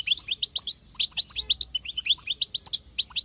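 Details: Female European goldfinch chatter, played to make a male goldfinch sing: rapid twittering of short upswept notes, nearly continuous, with a brief pause at one second.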